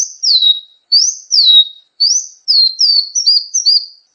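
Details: Sunbird (kolibri ninja) masteran recording for songbird training: clear high whistles that rise then fall, repeated roughly once a second, becoming shorter and quicker toward the end. Quiet background.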